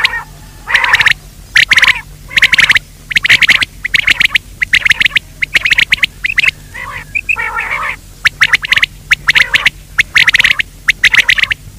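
A quail gives harsh, raspy calls in quick stuttering bursts, several a second, grouped in short runs with brief pauses. Faint background hum.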